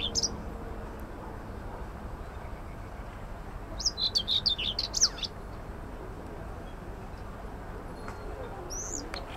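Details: Wild common whitethroat (Curruca communis) in song at an allotment garden in Södermalm, central Stockholm, Sweden, on 25 May 2024: one brisk, scratchy warbling phrase of quick jumbled high notes lasting over a second, with isolated high chips before and after, amid low city rumble.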